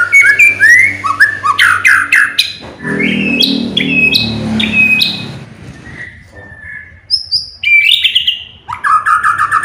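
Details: White-rumped shama song meant to make other birds sing: bursts of rising whistles and short trills, a stretch of louder, rougher notes over background noise, then scattered high whistles and a trill.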